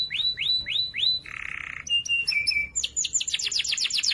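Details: Loud, clear canary song used to train other canaries: four rising-falling whistles, a harsh rattling burst, flat sustained tones, then a run of quick descending sweeps.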